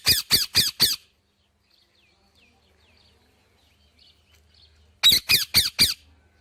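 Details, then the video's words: Indian ringneck parakeet calling in rapid series of four loud grating squawks, a pause of four seconds with faint distant chirps, then another four squawks. "Amazing Parrot Chirping Sounds"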